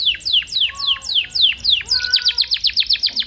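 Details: Canary singing in a tutoring recording meant to get young canaries singing: steady downward-sweeping whistled notes repeat roughly twice a second, then quicken into a rapid high, ringing trill.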